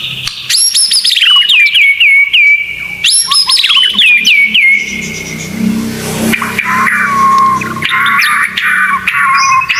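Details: White-rumped shama tutor recording: two loud phrases of high rising sweeps and rapid falling notes ending in steady whistles, then a noisy passage with a vehicle-like rumble under continuing chattery song.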